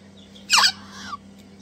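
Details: Hand-fed Crimson Rosella chick, one of two messy, keen eaters: one brief, loud, harsh screech with a softer trailing note dropping in pitch, against a faint constant hum.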